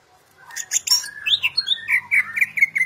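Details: Greater green leafbird, described as a national champion singer used as a tutor for other birds, starting with buzzy scratchy notes and moving into rapid rising and falling whistled notes that grow louder, with a faint low hum beneath.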